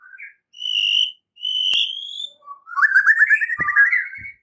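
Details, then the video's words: White-rumped shama singing in the morning, a fighting-style song used as a lure: a short low whistle, two long clear high whistles, then a fast warbling trill run, with a few sharp clicks at the end. "Pancingan murai batu PAGI HARI dengan suara murai Belajar TARUNG"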